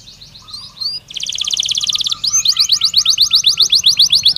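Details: Belgian canary song played as a training stimulus to get canaries singing: a few quick rising whistles, then a fast buzzy trill, followed by a series of repeated sharp upswept notes about four per second.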